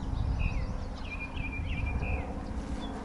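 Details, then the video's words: Orioles give several clear, fluting, slightly slurred whistled notes in wetlands on a morning of 23 May 2020 among newly arrived summer birds, over a heavy low rumble of wind or distant traffic. "Yeah, I hear Orioles whistling."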